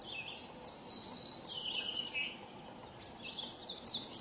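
An indigo bunting gives high, thin, sweeping notes in quick bursts, then fainter, slurred phrases, over a soft low rumble.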